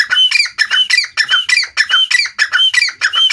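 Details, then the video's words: Grey francolin, known locally as teetar, calling: loud, harsh, squawky phrases, each with a thin whistled note on top, repeated rapidly about every 0.4 seconds without a break. "dakhni teetar ki awaaz grey francolin voice"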